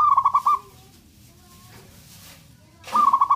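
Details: Local Zebra dove, a keen caller, calling to provoke the anger and arousal of rivals; two bursts of rapid, clipped mid-pitched coo notes, about five each, separated by a quiet gap of roughly two and a half seconds.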